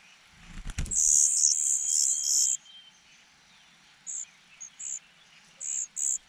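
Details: Starving cuckoo nestling, left unfed by the host birds, too weak to push out their chicks. A thump opens a long, harsh, high hiss, followed after a pause by a series of short shrill hissy bursts.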